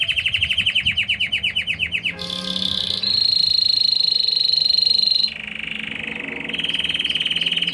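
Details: Intense yellow Belgian canary singing: a string of rapid repeated upslurred notes, then a steady whistled high tone, followed by lower trilled rolls changing pitch phrase by phrase.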